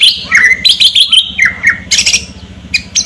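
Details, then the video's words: Energetic white-rumped shama singing: a series of sharp whistled notes dropping in pitch, repeated rapidly, followed by harsh, rasping bursts and scratchy fragments. "Murai Batu Gacor Tembakan Ngerol Kasar Dengan Kretekan Setan"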